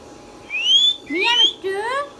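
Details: Indian ringneck parakeet, a green talking pet parrot, voicing three rich harmonic syllables in quick succession, each sliding upward in pitch, like a short spoken phrase.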